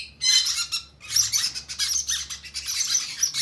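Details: Conure chicks beg during hand feeding with rapid, harsh, high-pitched squealing, a short burst followed by a longer continuous rasping run.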